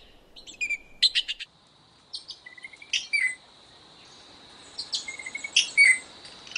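Azure-winged magpie giving three bursts of harsh, rasping notes mixed with short rising whistles, over a faint steady high hum.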